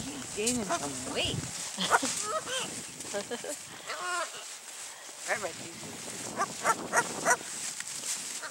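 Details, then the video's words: A female pet scarlet macaw that lives with a dachshund gives a series of harsh, dog-like barks imitating a dog, with a person talking over and between the calls. "Scarlet Macaw barks"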